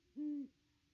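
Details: Great Horned Owl hooting at the nest tree on a nest camera, 25 December 2021, during a ninety-one-minute visit by a wild pair; one single deep, level, hollow hoot, then quiet.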